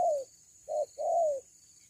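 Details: Loud cuckoo call, the local kuku: a falling hoot, then a short hoot and a longer hoot that slides down in pitch, clear over a faint steady hiss.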